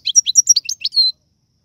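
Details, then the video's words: Algerian goldfinch song in the rare tiwawati galoubi and sarfati styles: a quick run of bright, high chirping notes, eight or so clipped syllables ending in a longer sustained whistle. "من اقوى اغاني طائر الحسون, تيواواطي قالوبي النادرة + سرفاتي"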